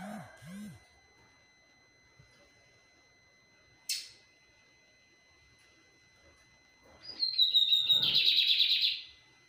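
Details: Lined seedeater singing in a flight cage: after near silence and a click, a loud burst of about two seconds of fast, dense, high twittering and buzzy notes, preceded by a few low whining sounds at the start.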